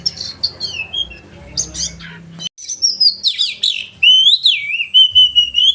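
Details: Oriental magpie-robin with a sharp "roll tembakan" song: buzzy chatter, a short silence, then bright high whistles and a long wavering whistled phrase.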